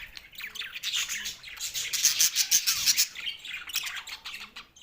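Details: Green Australian budgerigars chattering happily while they eat: fast overlapping chirps, about three per second, building to a denser peak in the middle before easing slightly.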